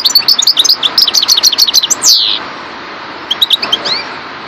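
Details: European goldfinch of subspecies parva in a dense two-second flurry of rapid metallic chirps ending in a descending buzzy slur, then a gap before a short final cluster of twittered notes.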